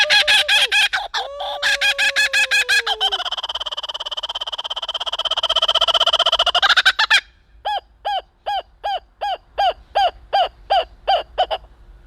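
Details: Foster, a captive laughing kookaburra at the Sacramento Zoo, gives a loud, raucous cackle that swells into a rolling laugh, then breaks into rhythmic hooting notes, about three per second. Its call is the classic movie "jungle" sound.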